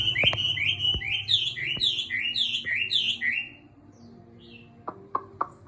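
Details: Chinese hwamei kept in a cage for about six months, returning to singing after its molt, delivers quick repeated down-slurred whistles for three seconds, then falls quiet apart from a few sharp clicks and knocks.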